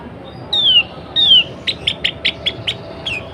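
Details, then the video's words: Female sooty-headed bulbul in breeding condition calling males to sing: two long slurred descending whistles followed by a series of seven short chirps at an even pace, with steady low hum behind. "SUARA KUTILANG BETINA BIRAHI 100 % TERBUKTI BIKIN KUTILANG JANTAN CEPAT BUNYI GACOR"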